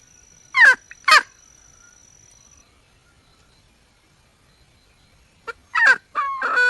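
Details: Wild red junglefowl hen seeking a male: two sharp, descending squawks close together, a long quiet gap with a faint steady tone, then more harsh calls and a drawn note near the end.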